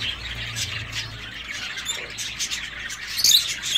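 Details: Caged zebra finches in an aviary chatter busily, with rapid nasal chirps in an irregular stream and a few louder, sharper notes near the end.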